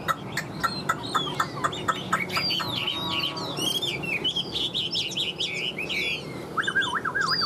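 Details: A strongly built Chinese hwamei (Garrulax canorus) in moult sings a loud, varied run of whistled slurs and rising and falling phrases, quickening toward the end, while a man talks quietly underneath.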